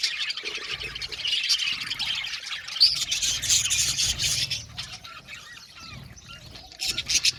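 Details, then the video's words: Budgerigars in an aviary colony chirp together in dense, overlapping high chatter, with rapid scratchy notes and short squawks tumbling over one another; a burst of louder chirps near the three-second mark, then quieter twittering. "Budgie amazing chirping sound | Budgies calling sound to make him happy"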